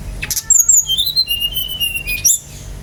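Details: Brown-chested jungle flycatcher singing vigorously, a recording meant to provoke other birds to sing: sharp high notes open into a run of clear sliding whistles that step down in pitch and hold, ending in a quick rising flourish.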